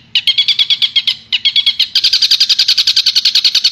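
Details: Long-tailed shrike, Madura, singing a master song meant to teach songbirds: clipped grating notes in quick succession, a short break, then an accelerating, denser stream of scratchy chatter.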